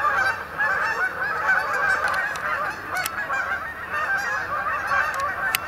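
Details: Canada geese arriving at Sapsucker Woods, Ithaca, New York, on 28 October 2017 to roost on the main pond; thick, repeated honking from many birds with a few brief clicks.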